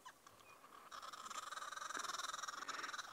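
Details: Green wood hoopoe flock, including youngsters, in a raucous laugh-like cackling chorus at Djuma Game Reserve, South Africa, on 2 May 2017. Harsh chattering notes come about three or four a second and build in intensity during a territorial flag-waving display answered by another flock.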